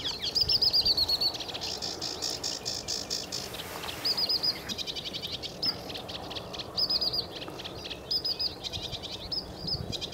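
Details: Sedge warbler singing at Newport Wetlands on 29 April 2015: a fast, continuous, scratchy chatter with repeated buzzy trills and high whistled phrases, over strong low rumbling background noise.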